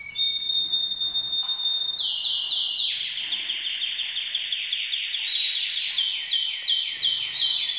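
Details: Breeding-ready canaries; a long whistled note opens into a very rapid, even trill of descending sweeps lasting several seconds, then higher trilled phrases, loud and continuous.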